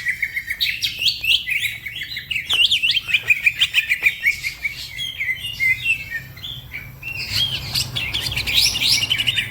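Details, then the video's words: Energetic fast song from a green leafbird that gets other birds singing; tumbling chirps and whistled slurs, then a brief lull before higher, squeakier twittering returns. "The green cucak bird makes noise, other birds also become gacor"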